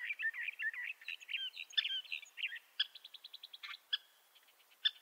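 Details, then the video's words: Bendire's thrasher song: a jumble of quick warbled notes, then a rapid series of short, evenly spaced clipped notes, with a few louder sharp notes standing out. "Bendire's Thrasher Bird Song"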